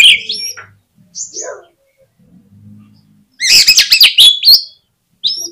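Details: Oriental magpie-robin song used as a lure to make other magpie-robins sing actively: high whistled phrases, a quiet gap with faint low hum, then a loud burst of rapid harsh and whistled notes around four per second.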